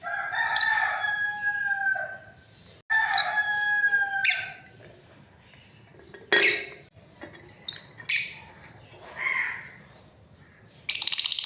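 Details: Breeding pair of lovebirds: two long thin whistled notes with clicky starts, then scattered sharp chirps, rasping squawks and squeaks at irregular intervals.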